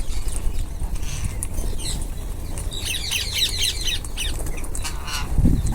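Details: Group of rose-ringed parakeets feeding together; a burst of rapid, harsh, chattering squawks clusters midway, repeated several times in quick succession, over steady low rumbling background noise and occasional soft thumps.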